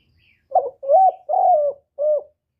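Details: Spotted dove calling in the 'thổ thúc' and 'gáy gọi' voice styles, recorded live and used to stir other doves. Four low, hoarse coos in quick succession, the middle two long and level, the last short. Otherwise quiet.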